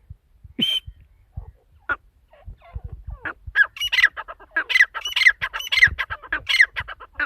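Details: Female partridge (teetar) calling: a few isolated squawks at first, then a dense run of harsh, raspy notes repeated rapidly, growing louder toward the end.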